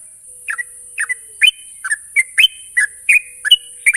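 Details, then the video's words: Sooty-headed bulbul lure song for prompting untrained young birds to sing: spaced pairs of bubbly whistled notes, some sliding upward into a thin held tone, roughly every half second, with constant high-pitched hiss behind. "pancingan burung trucuk bahan agar cepat ngropel"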